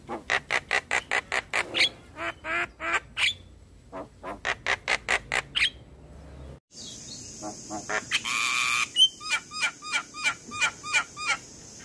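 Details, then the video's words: Javan myna in the morning: steady rapid series of dry rasping notes, a sudden break, a burst of hissing noise, then repeated short whistled downslurs with clicks. "Pancingan jalak Kebo pagi hari"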